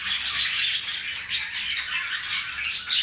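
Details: Two pet budgies showing affection for each other, giving a dense, continuous chattering warble of scratchy chirps and squeaks, with brief louder notes near the start and end.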